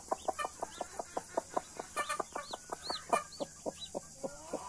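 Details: Blue mother hen with Australorp and Brahma chicks: a fast, even series of short low clucks, about four a second, with arched high chick peeps scattered over them and a steady background hiss.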